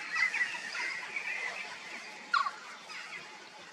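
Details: A peregrine falcon from a quarry, its chest stained pink by iron oxide, gives a drawn-out harsh wailing scream at first, then after a pause a single short loud rasping cry, over a steady outdoor background.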